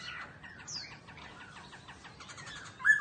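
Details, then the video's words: Laughingthrush kept as a cage bird, singing while it dances: a fast jumble of short chirps and slurred notes, one high downward sweep near the start, ending in a louder clear whistle. "Khướu Hót Hay Múa Xèo Đuôi Đẹp"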